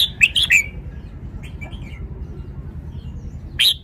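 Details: Red-whiskered bulbul opening with a brisk four-note whistled phrase that ends in a downward slur, then a few soft, faint notes, and a final loud single note; low-pitched background hum throughout.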